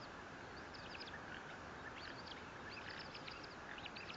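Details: On 18 April 2024, a bald eagle at the Fort St. Vrain nest, set 57 feet above the ground, gives rapid runs of high, squeaky, staccato notes, two clusters close together, heard through steady broadband hiss.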